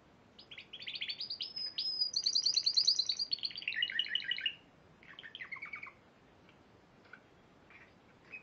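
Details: Spanish Timbrado canary, Piala Raja winner in March 2014, pouring out about four seconds of fast rattling trills and metallic rolls, followed by a softer, shorter phrase and scattered faint notes.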